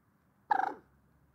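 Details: Single rattling, guttural call of a common moorhen, several quick pulses run together in under half a second, with faint low background hum.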